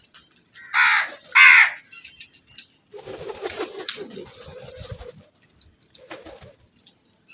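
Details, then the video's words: Black crows calling: two loud, harsh, broadband caws in quick succession, followed by softer lower cooing-like sounds and scattered clicks against a quiet background. "Crow Sounds"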